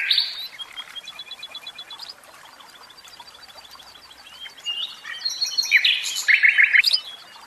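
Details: Song of a caged common nightingale, with varied phrases: a bright opening note, a quiet stretch of thin repeated ticks, then a loud rapid burst of sharp notes near the end.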